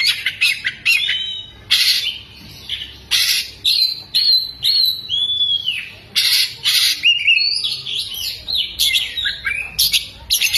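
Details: Caged oriental magpie-robin fanning its tail while singing a varied song with mimicked lovebird phrases: bursts of harsh broadband chatter interspersed with pure whistles and sliding notes, delivered in quick separate phrases.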